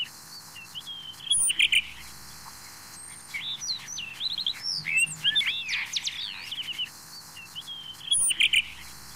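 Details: Song of a blue rock thrush, the Taiwanese blue-bellied subspecies, mixing buzzy chip clusters with a lively stretch of twisting whistled and warbled notes in the middle, then another dry chip burst near the end.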